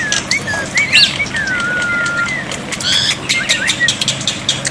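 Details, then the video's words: Black-winged myna song used as a water-therapy tutor recording to make silent birds respond: short upslurred whistles, then a long level whistle drawn out for about a second, over dense sharp clicking bursts and rustling. "terapi air dan masteran burung jalak putih, jalak putih macet pasti nyaut"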